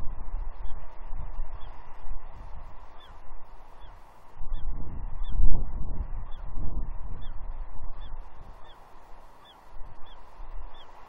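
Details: Juvenile female bald eagle begging her father for fish at Two Harbors on Catalina, 30 June 2021; a long series of small, high downslurred squeals roughly twice a second, with gusting wind rumble.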